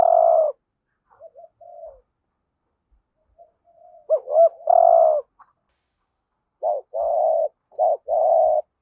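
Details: Spotted dove decoy call meant to bring in wild doves, hap boi voice: a long coo, soft broken notes, a looping phrase and long coo, then rapid short-long coo pairs repeated twice.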